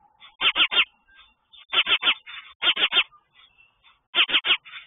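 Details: Mother sparrow at a nest with chicks, aggressively chirping in territorial defence against another sparrow nearby; harsh, buzzy chirps in quick bursts of three, the bursts repeated about every second with softer chatter between.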